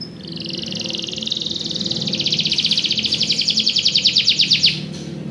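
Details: Belgian canary delivering a fast, even high trill that grows louder and breaks into distinct pulsed notes before stopping, with faint low background noise.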